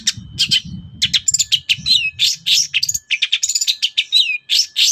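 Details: Long-tailed shrike singing energetically in the morning to provoke other birds into answering: a dense run of sharp, high chattering notes and short whistled slurs, with a low rumbling murmur underneath during the first three seconds.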